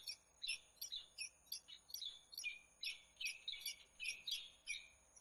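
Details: Peregrine falcon calling in Włocławek, Poland, on 15 January 2013: a fairly quick run of harsh, high, chattering notes, a little over two per second and uneven in spacing, heard faintly against a quiet background.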